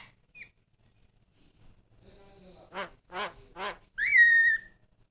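A Javan myna gives three harsh, nasal croaks about half a second apart, then a loud clear whistle that slides slightly downward.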